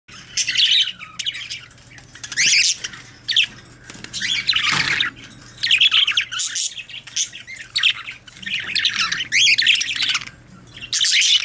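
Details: Budgerigars, also called parakeets, chattering in bursts of harsh, buzzy squawks and scratchy warbles, with short pauses between loud busy stretches and a low steady hum underneath.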